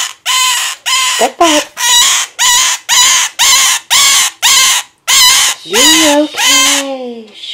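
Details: Male pet scarlet-chested parakeet crying beside his female mate, a harsh, buzzy, loud cry repeated in a fast, steady series of about a dozen bursts; a woman's soothing voice slips in near the end.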